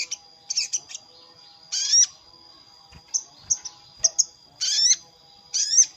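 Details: Lure call of a sogon calling a rival: harsh, downward-sliding squawks alternating with brief high chirps, over a steady thin high whine throughout.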